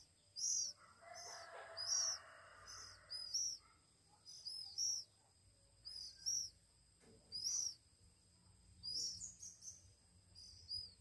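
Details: Week-old Oriental magpie-robin chicks call while hand-fed: spaced high piping chirps, some doubled, with a brief rustling burst early on and a low steady hum beneath.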